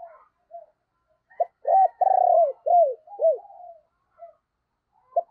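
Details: Decoy spotted dove calling wild doves in the morning, one loud phrase: clipped opening notes, a long throaty purr, then three falling slurred coos, with faint distant coos and a brief higher twitter.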